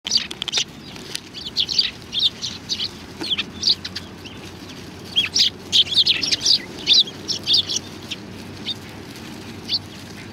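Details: Sparrows coming to be fed at a Tenmangu shrine on 25 November 2020; short high chirps burst out in quick clusters throughout, several birds overlapping, with a low steady background hum.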